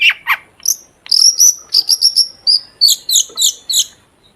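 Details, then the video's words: Long-tailed shrike song, played as a lure for shrikes to sing: harsh low chips, then thin, very high whistled and clicking notes repeated several times a second in a lively, uneven sequence. "Burung cendet gacor DOR BUAT PANCINGAN CENDET AGAR BUNYI"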